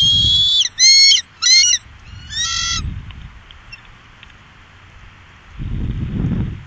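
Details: Bald eagle from a trio on the Upper Mississippi, 2018: a thin, high whistle, then several short, piping, descending notes in rapid series, over low rushing background noise.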